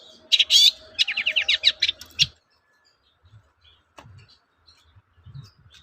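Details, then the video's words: Lure song of a long-tailed shrike, meant to provoke other shrikes into replying: a loud harsh burst and a quick series of raspy notes lasting about two seconds, then near silence with faint low thumps. "BANYAK CENDET NYAUT MENDENGAR SUARA BURUNG CENDET GACOR INI"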